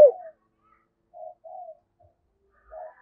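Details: Spotted dove in the 'giọng thổ' calling style: a brief loud coo at the start, then three soft, muffled coos spaced about half a second to a second apart in a quiet setting.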